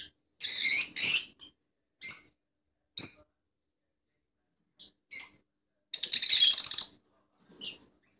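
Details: Rosellas of different colour mutations. Scattered rough, high chirps come at irregular spacing, including a loud doubled note near the start and a longer, quickly pulsed chattering burst later. Quiet gaps separate them.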